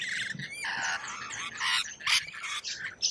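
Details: Australian lorikeet calling with a run of harsh, rasping shrieks that come close together. Sharper, louder squeals near the end cut through the grating chatter.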